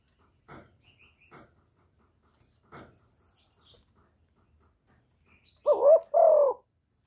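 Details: Spotted dove calling to lure wild doves, recorded without background noise: a few faint clicks and taps, then two loud, mellow, low coos in quick succession near the end.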